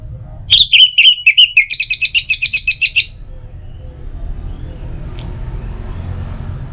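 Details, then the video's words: Orange-headed thrush song, a lure for morning and evening: a few sweet descending whistles lead into a rapid, steady series of about a dozen short repeated notes, then fading background hum. "Pancingan Suara ANIS MERAH Untuk Pagi dan Sore Hari Agar Burung Jadi Tambah Gacor"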